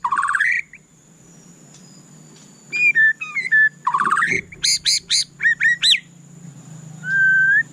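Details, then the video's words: White-rumped shama (murai batu) opening with a rising whistle, then after a pause a string of short bright notes and rapid repeated chirps, closing with a long steady whistle; faint continuous high tone present. "suara candu Murai Batu"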